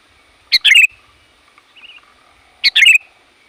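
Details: Bold, loud sooty-headed bulbul calling to lure wild bulbuls: two bright phrases, each a clipped opening chirp then a quick liquid warble, separated by about two seconds with a soft distant chirp between.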